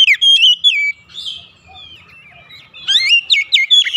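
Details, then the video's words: White-rumped shama morning song, opening with clear sliding whistles, a softer warbling interlude, then a burst of sharp rising notes repeated several times. "OCEHAN KACER DI PAGI HARI"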